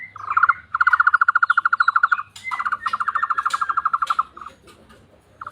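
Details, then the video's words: Tohtor bird calling in a frog-like way: two long runs of rapid, evenly spaced croaking pulses at mid pitch, the second softer, then a brief final burst; faint low hum underneath. "burung tohtor suara mirip kodok"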